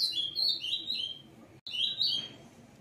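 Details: A caged male Green-winged Saltator just finishing its moult sings loud, rich whistled phrases that slur downward, with a brief pause before a second bright phrase.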